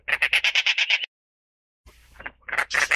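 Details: Dollarbird, Eurystomus orientalis, giving a fast series of about eight harsh, rasping notes in one second, then silence, followed by more grating, croaking notes building again.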